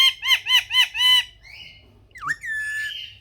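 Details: Parrot kept as a pet letting out five rapid, rhythmic harsh squawks, then a pause and a drawn-out, wavering screech with a slurred downward note.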